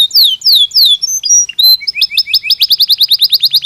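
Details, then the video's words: Belgian canary in natural song, beginning with a few loud descending whistled slurs, some short varied chips, then a rapid rolling tour of even, repeated high notes. "Canario Belga Cantando Naturalmente"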